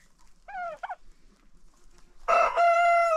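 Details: A rooster on a farm during an informal crowing contest held after breakfast each day. Two brief harmonic calls come first, then a sudden loud crow begins and holds a steady, bright tone to the end.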